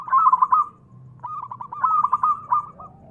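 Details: Zebra dove, a local bird in full voice, recorded to make other doves answer: dense loud stuttering phrases of rapid cooing notes, one after another with a brief pause.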